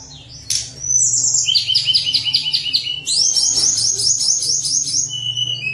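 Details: High rapid song of a Sunda warbler, played to prompt lazy birds to sing: a burst, then evenly repeated chipping notes and a long bright trill, with a faint low hum beneath.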